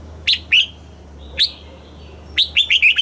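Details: Red-whiskered bulbul song in the southern master style, used to excite caged birds and teach young birds: a few separate clear up-and-down notes, then a quick run of five bright slurred notes, over low hum.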